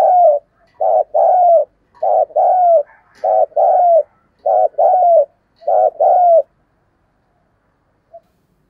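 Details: Spotted dove decoy cooing and calling: a quiet room with about six rapid two- and three-note husky coo phrases at a steady pace, each ending in a short downward-curving note, then near silence.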